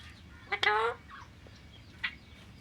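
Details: Alexandrine parakeet giving one harsh, raspy, harmonic-rich squawk of about half a second, followed by a brief fainter squawk near the end; low background hum throughout.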